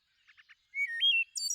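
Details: Thrush song phrase: three soft clipped notes, then a clear whistled note that steps sharply upward and then drops, ending in a high, bright buzzy trill. Quiet background.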